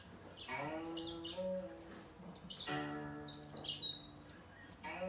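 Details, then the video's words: Singing fight between a grey singer finch and a green singer: short high twitters, then a loud, shrill, tangled burst of song, set against low sustained musical notes. "Gery singer finch VS Green singer singing fight 灰燕和金青斗唱"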